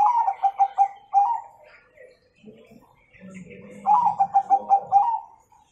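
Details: Bangkok-type zebra dove in lively song with the 'kung' tone, used to train young birds: two bouts of quick, evenly spaced low coos ending in a longer rolled note, separated by soft background murmur.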